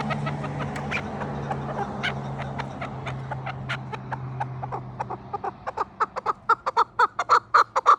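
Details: Chukar partridge calling in 2026: faint scattered clucks over a low engine-like hum, the hum fading as loud, regularly spaced chuk notes build over the last three seconds.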